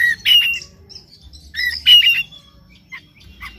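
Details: Oriental magpie-robin in the morning, meant to make another bird sing hard: harsh, buzzy mid-pitched notes mixed with a few whistles in two clustered bursts, then a couple of soft clicks.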